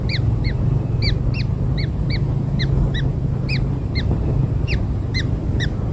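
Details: Recently born kingfisher chicks during feeding with black insects utter rapid, repeated arched peeps, close to eighteen over six seconds, sometimes in quick pairs, with persistent low rumbling underneath.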